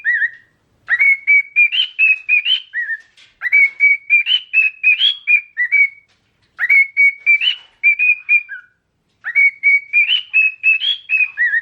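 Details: Archie, a pet cockatiel, excited and very vocal, whistles clear, warbling song phrases of quick rising and falling notes, each about two seconds long, four phrases separated by short pauses.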